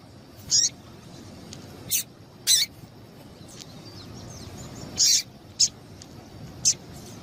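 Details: Female double-collared seedeater calling to stir a male into singing, used by keepers preparing birds for song tournaments: six short, sharp, very high chirps at uneven intervals over a faint background hiss.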